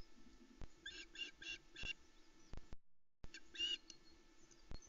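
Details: Osprey chicks on a Loch Arkaig nest on an early July 2020 morning, squeaking eagerly as the male flies in with a large trout. Four rapid rasping squeals follow one another, and after a short gap a louder squeal comes.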